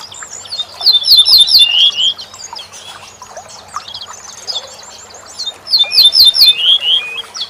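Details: Corn bunting singing for songbird tutoring. Two bright jingling phrases about five seconds apart, each a run of rapid repeated notes ending in a rolling trill. Quieter twittering of other birds fills the gap between them.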